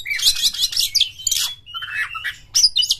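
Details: Oriental magpie-robin; song; stimulating other magpie-robins to sing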